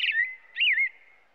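An American robin sings two quick caroling phrases of clear, slurred whistles, the first dropping and the second rising then falling, each trailing off in a faint echo.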